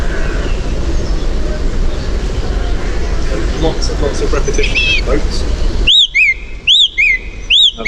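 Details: Song Thrush song, typically repeating each verse two to four times: a bright whistled phrase repeated three times in quick succession, after a stretch of muffled talking, traffic rumble and faint bird notes.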